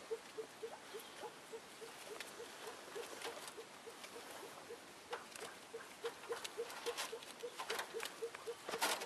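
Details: Short low clucks from a newly arrived female Elliot's pheasant come in a fast steady series, accompanied by bursts of rustling and scratching.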